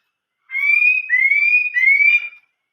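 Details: Chinese hwamei singing in the 'old forest voice' style: three long, clear whistled notes in a row, each sliding slightly upward, with no pause between the second and third. No other sounds.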